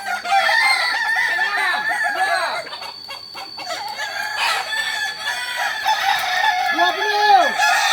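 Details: Group training of Kokok Balenggek (kukuak balenggek) roosters at Ampang Kualo, Kota Solok, West Sumatra: overlapping extended crows of rapid repeated looping notes, one lower bird adding arched syllables, a steady high tone running behind.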